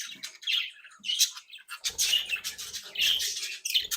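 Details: Playful, active budgerigars bred in captivity, chattering indoors: continuous high scratchy warbling with squeaky whistled notes, over faint low rumbling background noise.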